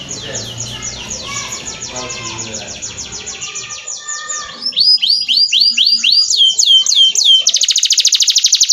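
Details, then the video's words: Canary master song: a fast rolling trill at first, quieter, then loud rising-falling whistled notes repeated several times a second, closing with a dense buzzing rattle. "Masteran Burung kenari"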